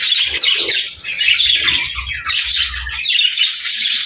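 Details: Several budgerigars warble and squawk together in a busy, grating chorus that dips briefly and then swells again, with soft low thuds in the background.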